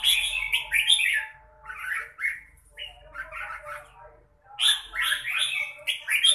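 Red-whiskered bulbul giving bursts of rich, liquid, chattering phrases, each lasting about a second, with brief pauses between. Nothing else is clearly heard.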